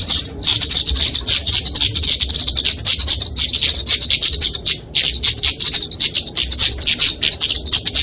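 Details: Fighting song of a flowerpecker (kemade, Dicaeum), used as a training and lure recording for small birds. A steady stream of shrill, high twittering with fast tick-like notes keeps going, with one short break near the middle.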